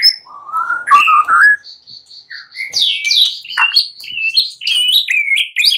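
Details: Singing at night, a white-rumped shama gives low warbled phrases, then a row of evenly spaced high pure notes, followed by a quick, varied tumble of whistles and chirps.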